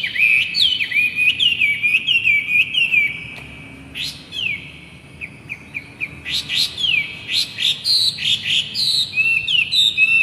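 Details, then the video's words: A Hong Kong poksay laughingthrush in full song, used as a tutor recording for young birds: a fast run of clear, looping whistled notes, some sliding down, with a brief pause near the middle before the phrases resume. "MASTERAN BURUNG POKSAY GACOR"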